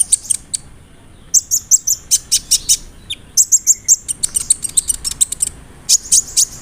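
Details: Kolibri ninja sunbird, high rolling song with cricket, cililin and sparrow mimicry: bursts of piercing ticks and short buzzes in quick groups, broken by brief pauses, with one low whistle in the middle.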